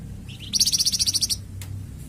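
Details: Flamboyan bird song meant for training and stimulating captive birds (masteran, pancingan). Two soft notes, then a rapid, buzzy trill of about a dozen bright high pulses, ending abruptly, with a brief click afterward.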